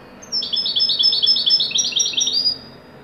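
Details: Moroccan goldfinch of the wedani type in a joyful top performance: a fast, rippling run of bright, high twittering notes, roughly two seconds long, with buzzy and clipped elements.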